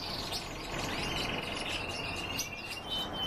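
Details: Canary-goldfinch hybrid in song, holding a long, even, high rattling trill with scattered sharp chirps layered above it, against a constant low hum.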